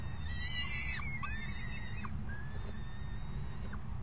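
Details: Falcon chicks begging as a parent feeds them at the nest, June 3, 2018: a loud harsh squeal at the start, then thinner level whining notes fading out, over a continuous low rumble.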